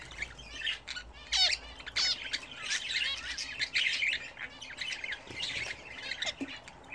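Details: Pet budgerigars bathing indoors, giving continuous soft warbling chatter mixed with sharp rising chirps and occasional squawks from several birds at once.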